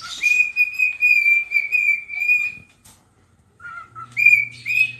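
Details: Cockatiel pet singing while it dances and rubs its tail: a long, wavering high whistle lasting over two seconds, a pause, a lower short note, then rising whistles with a low steady hum beneath.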